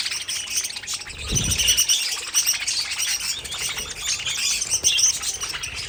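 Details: Aviary budgerigars warbling and chirping in a busy colony chorus, with a brief low flutter or thump early on.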